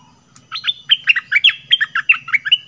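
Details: Red-whiskered bulbul, southern type, in a decoy recording for luring birds: a lively run of short, bright chirping notes that rise and fall, about ten quick phrases over two seconds, with a faint low hum underneath.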